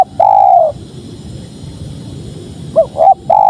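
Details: {'caption': 'Spotted dove cooing: the tail of a long coo, a pause of about two seconds, then a fresh phrase of two quick rising notes and a drawn-out mellow coo, over low steady noise.'}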